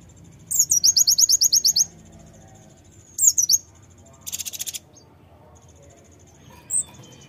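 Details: Brown-throated sunbird song to provoke other birds into singing: a fast run of high, ringing repeated notes, a short squeaky phrase, a buzzy burst and one thin chip.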